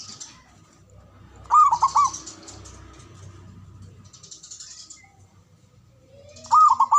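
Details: Local male zebra dove calling: a ringing, rolling phrase of quick repeated notes, repeated about five seconds later, while other small birds chatter softly in the background.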